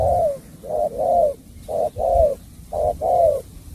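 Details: Bau bach de style song from a spotted dove: three clear coo phrases, each a short hoot tied to a longer, steady, hollow note, separated by brief pauses.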